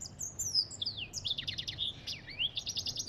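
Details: An African goldfinch sings a lively warble of high thin whistles, descending slurs and buzzy trilled bursts, the phrases joined almost without gaps, ending in a rattling series of quick notes; faint low hum behind.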